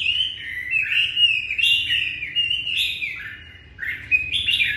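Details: Red-whiskered bulbul singing to greet the new day: a continuous stream of rich, warbled whistles, phrases sliding up and down in quick jumps, bright and liquid throughout.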